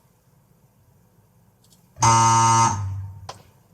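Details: Quiet room with a low hum, then a loud harsh buzzer-like tone with rich harmonics lasting under a second and fading, followed by a brief click; no animal voice is heard.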